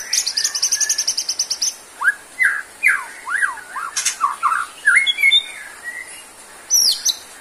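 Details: Caged white-rumped shama (murai batu) kept for songbird hobby, in strong singing form; rapid train of rising and falling whistled notes with sharp chattering bursts and high trills, varied phrases delivered in quick succession.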